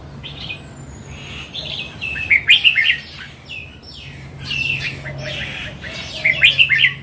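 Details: Mature wild red-whiskered bulbul sings two loud, bubbly, warbling phrases a few seconds apart, with softer chirps between and a steady low hum beneath.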